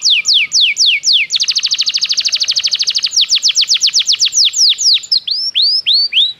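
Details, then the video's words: Belgian canary training song with bold downslurred whistles, a rapid even trill of high notes, a run of sharp sweeps and softer upslurred whistles at the close. "O canto do canário belga fascina muitas pessoas - o melhor treinamento para canários"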